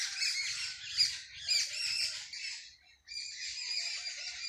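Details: Early-morning sparrow chorus in a village: many birds twittering at once in a continuous, busy stream of high chirps that dips briefly, then resumes just as thickly.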